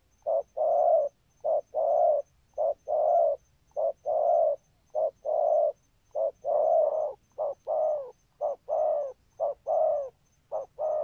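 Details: A long, steady series of spotted dove thúc gù cooing. Short clipped notes alternate with longer hollow coos in an even rhythm of about fifty pairs a minute, continuing without a break.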